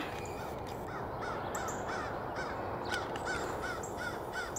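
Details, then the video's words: Crows dive-bombing and mobbing a red-tailed hawk: rapid, harsh caws, roughly three per second in an uneven series, heard through a heavy steady roar of wind or background noise. "Crow Dive Bombing and Yelling at Red Tailed Hawk"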